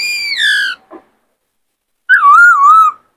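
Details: White-cheeked laughingthrush male, caged and in fired-up condition, singing to excite wild-caught birds; a long, falling, rich whistle with a short low note, then after a gap a wavering whistled phrase.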